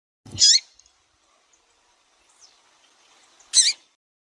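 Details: Female double-collared seedeater, a caged bird, calling to stimulate a male. Two high, sharp descending chirps about three seconds apart, the first with a low thump, and a faint soft note between them.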